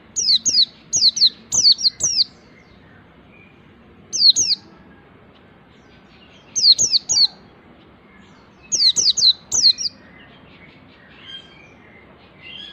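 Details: White-eye practising the nembak delivery of ngalas song: repeated clusters of two to four piercing, steeply falling whistled notes, fast at first, then in spaced bursts every two seconds or so, with faint twitters behind.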